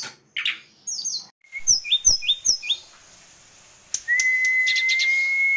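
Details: Tame Sunda robin: a varied, high song phrase, a quick run of thin, sliding whistled notes, then one long, steady whistle held to the end, with a few soft clicks.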